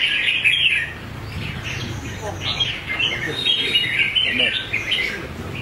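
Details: Red-whiskered bulbul, a competition bird with a fighting temperament, singing: bright warbled phrases repeated in quick bursts, with murmured voices and low rumble behind.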